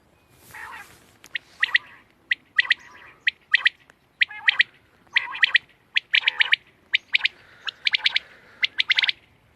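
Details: A quail, recorded 31 March 2024, gives a soft opening note, then a run of short, sharp clicking calls in small groups, repeated about once a second with uneven spacing.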